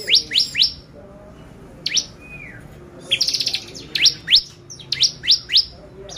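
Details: Bar-winged prinia song used as a lure to excite birds: groups of three fast rising upslurs, a soft descending note, a short trill, then more evenly spaced upward sweeps.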